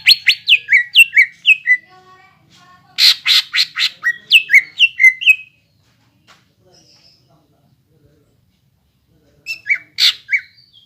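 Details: Lure song of a gacor greater green leafbird, played to prompt untrained young leafbirds to sing: bursts of bright, downward-slurred whistles alternating with rapid harsh chattering, then a long pause and another short chattering phrase.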